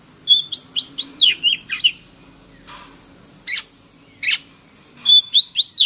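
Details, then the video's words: Kacer, or Oriental magpie-robin, in a lure recording for birds that have stopped singing: a run of rising-falling whistled notes, two loud sharp chips, then more arching whistles near the end. "PANCINGAN BURUNG KACER YANG MACET BUNYI - TERAPI GACOR"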